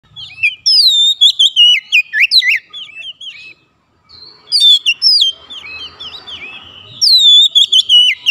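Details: Oriental magpie-robin calling to other birds, which answer: loud bursts of varied whistled notes and sharp upslurred and downslurred phrases, pausing briefly in the middle, with a fainter answering bird between the loud phrases.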